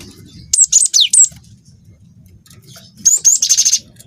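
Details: A young cinereous tit sings as a lure for other birds: a burst of four bright whistled notes, some sliding steeply down, then silence, then two whistles leading into a fast buzzy roll.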